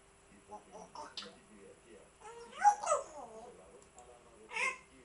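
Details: African grey parrot giving a short series of nasal, whining, bending calls in a few bursts, one louder double call mid-way and another near the end, with quiet room noise between.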